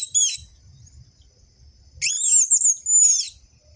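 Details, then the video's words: Orange-headed thrush song used to coax quiet captive birds into singing: a short high whistled burst, a pause, then two longer phrases of sliding whistles and chattering trills, with faint low background rumble. "Pancingan burung anis merah macet dan malas bunyi"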